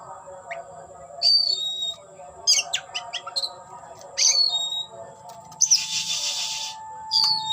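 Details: Oriental magpie-robin singing while displaying and fanning its tail: short sharp whistled notes and rattling ticks in separated bursts, one loud hissing rasp midway, over a steady high tone and low hum.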